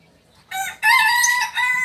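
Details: Kokok Balenggek chicken, a native singing chicken from Solok, crowing in the landiak class style: a short opening note, then a long, loud, harmonic-rich drawn-out crow with a brief dip before a final sustained part.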